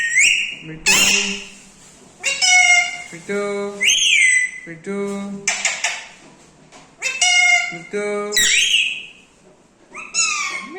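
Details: Parrots talking, giving a string of voice-like utterances, drawn-out rising squeals and laughing sounds, each separated by short quiet gaps, in a small indoor space.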